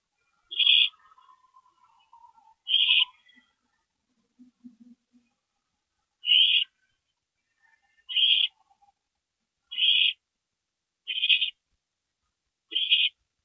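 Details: Owls at a nest box at night, 2:40 AM on April 22, 2012, as a parent visits: seven harsh, breathy hisses repeated every one to two seconds, with faint soft twittering and low murmurs in the pauses.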